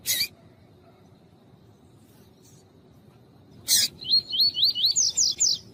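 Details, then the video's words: Coleiro tuí-tuí fibra female calling to stir up the male: a harsh burst, then roughly nine high, curling chirps in steady succession, the last ones climbing higher, with clicky noises at the start. "COLEIRO TUÍ-TUÍ FIBRA COM FÊMEA CHAMANDO PARA ESQUENTAR SEU COLEIRO TUI TUI ESQUENTAR COLEIRO FRIO"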